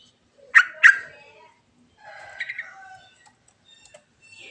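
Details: A yellow-vented bulbul sings its natural rolling song with varied phrases, used as a lure: two strong downward-sweeping notes followed by a softer warbled phrase and faint scattered ticks.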